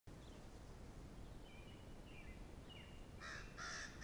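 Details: Crows give harsh, rapid caws in alarm at a red fox feeding in the grass near an upper pond, over a steady wind rumble.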